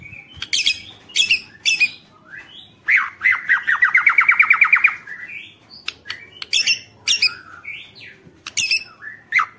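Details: White-rumped shama song used to provoke rival shamas to sing: varied loud phrases with sharp high notes and a fast rattling trill of repeated notes, followed by more whistles and chips.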